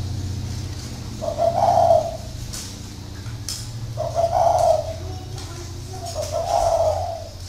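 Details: Spotted dove kept caged as a decoy in northern Vietnam, cooing three low hollow phrases about every two and a half seconds over a low continuous hum.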